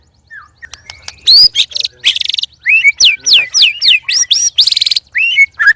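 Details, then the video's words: White-rumped shamas, three caged birds set to spar, give loud, strange song: a harsh burst, then a rapid series of rising and falling whistled sweeps and buzzy trills, densely packed and varied. "Murai Keluar Suara Aneh Ketika Di Trex 3 Murai"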